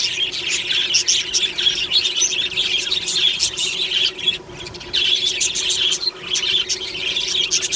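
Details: Happy morning song of a budgerigar colony in an aviary: busy, overlapping high chirps and warbling twitters that swell and briefly dip around the middle before resuming.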